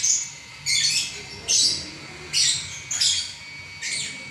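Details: Lovebird in non-stop singing, five loud harsh chattering bursts high-pitched, each under half a second, spaced roughly a second apart over steady background hiss.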